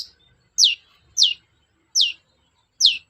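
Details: Long-tailed shrike lure recording meant to make quiet shrikes sing: four sharp, high, downslurred notes, each given alone with short gaps of silence between them.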